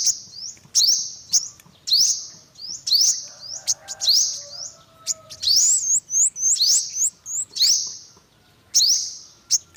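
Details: Repeated high, rising chirps of a yellow-bellied olive-backed sunbird, about one every second, with a quick twittering burst midway and a faint hum behind.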